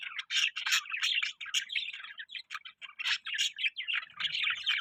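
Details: Cheerful budgerigar chatter, many quick chirps about three per second, mixed with scratchy warbling, steady throughout and clean apart from a faint low rumble at the end.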